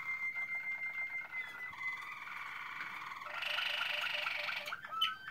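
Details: Waterslager canary (Malinois) singing in 2016: a long sustained whistle slowly falling, followed by a dense, brighter rolling trill and a few sharp closing notes.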